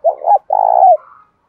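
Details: Single spotted dove coo phrase, 'bản bổi' style, meant to make a kept dove coo back: two quick low hoots, then a long rolling vibrating coo. A faint higher trailing note follows.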